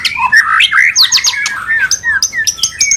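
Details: White-rumped shama mating call, played to bring a bird into breeding condition: dense, varied whistled song with swooping slurs, then short high piping notes repeated at a steady pace.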